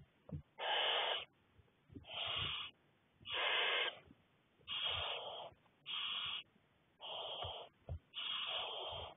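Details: Barn owl owlets, six together at the nest, fed by a parent on 2 May 2020, give loud rasping hisses, seven drawn-out breathy bursts in close succession, with faint shuffling between them.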